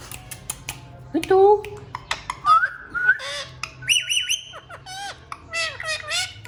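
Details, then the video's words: Talking Indian ringneck parakeets kept as pets, one with a feather disease, produce rising whistled glides and a series of high wavering notes, then speech-like falling syllables in a small room. "Talking indian Ringneck Parrots"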